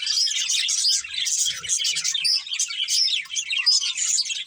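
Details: Budgerigars from a breeding pair keep up a nonstop stream of high, rapid twittering, bright chirps and buzzy chatter layered over one another for the whole stretch, with a few soft knocks midway.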